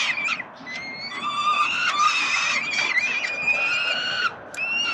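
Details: Peregrine falcon young, fed by the male parent in Melbourne, Australia, on 30 October 2021, give drawn-out, slightly rising begging wails, with several chicks overlapping and brief clicks.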